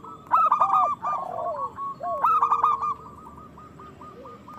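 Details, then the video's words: Local zebra doves in strong song, used as a trigger for breeding and singing in other doves. Two bursts of quick clipped coos, each with a lower swooping note below, then softer repeated notes. "Perkutut lokal gacor Suara Besar Pancingan Birahi Cepat Bunyi"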